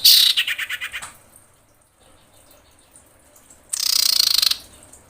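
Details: A female common iora summons the male with two bursts of harsh chattering rattle, each made of quick repeated pulses and separated by about three seconds of quiet.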